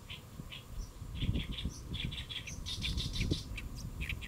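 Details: Great reed warbler singing while perched on a lotus leaf at Saemangeum, Gimje, Jeollabuk-do, Korea, recorded around midday on 1 July 2024; harsh, chattering notes repeated in quick irregular bursts over a low rumbling background.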